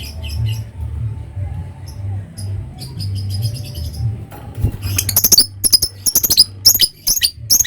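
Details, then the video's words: Lovebird giving ngekek chatter, preceded by typing-style notes: a few spaced high chirps, then a fast, scratchy run of repeated squeaky notes that fills the last three seconds. "Suara Love bird Bikin Emosi Lawan ngetik lanjut ngekek"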